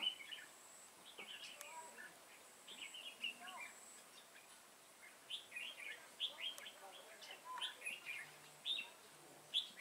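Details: Red-whiskered bulbul used as a trapping decoy, 28 September 2017; many quick whistled and chattering phrases, denser in the second half, with brief clicks and a low hum in the background.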